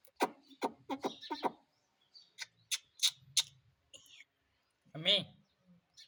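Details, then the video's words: Indian ringneck parrot talking, trained to say "mummy": a quick run of five harsh, speech-like syllables, then sharper single chirps and a final buzzy, rising note, with short pauses between sounds in a quiet room. "Mummy Mummy bolne wala Tota _ Parrot Talking _ Sweet Ringneck Parrot Talking"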